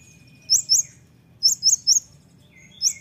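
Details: Olive-backed sunbird singing energetically, giving short bright upslurred chirps in pairs and triplets, very high and clean, with a faint thin lower whistle running in the background.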